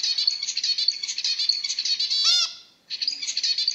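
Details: Zebra finch song: a fast run of buzzy, rattling notes, interrupted by one loud nasal honk, a short silence, then more rapid buzzy chatter.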